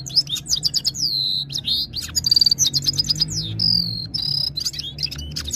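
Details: Red-fronted serin giving goldfinch-like Saira song: a dense stream of high jingling notes, quick downward slurs and brief trills, with constant low droning in the background.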